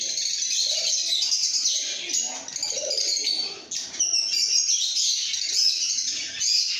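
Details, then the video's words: Lovebirds chirping and singing, a dense, continuous stream of high, shrill twittering notes overlapping one another, with a brief dip in the chatter midway before it swells again; faint lower murmuring underneath. "Lovebird Singing & Chirping Sounds|লাভবার্ডের কিচিরমিচির শব্দ|love bird sound"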